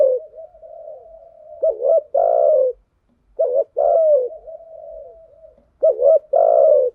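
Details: Male and female spotted dove coos played as lure calls to excite decoy birds, styles thúc gù and gáy gọi; three phrases of a quick double note then a drawn-out rough coo, gentle wavering cooing linking them.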